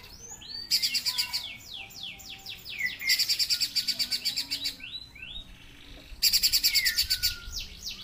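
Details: Streaky-breasted spiderhunter singing hard: long runs of fast, buzzy pulsed chatter mixed with quick sweeping notes, three loud bursts in a row.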